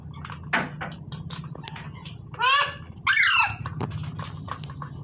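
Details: Parrot letting out two grating, nasal screeches back to back in the middle, with scattered clicks and a low droning hum underneath.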